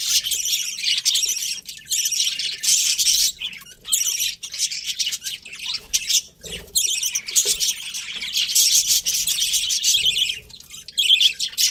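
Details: Kept budgerigars, a breeding pair, chattering continuously: long stretches of high, raspy warbling and chirps, with brief gaps and occasional lower clicks.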